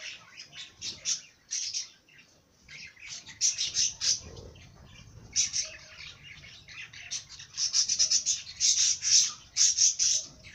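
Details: Bird song of high, thin chirps and short twittering bursts, sometimes in quick runs, sometimes scattered, with brief quieter gaps between phrases and faint low background rumble.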